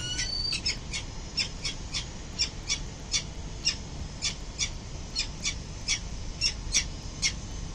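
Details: Wild peregrine falcon parents arriving home at their building nest in early morning on 22 November 2024 give harsh, scratchy chips repeated about every quarter to half second, high and insistent, over a steady low rumble of wind or traffic.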